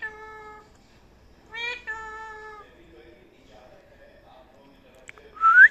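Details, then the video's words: Parrot talking indoors: two drawn-out, steady, meow-like tones, each lasting about a second, then softer wavering speech-like syllables, ending in a sharp, rising high squawk. "Lovely parrot talking | Funny parrot talking video"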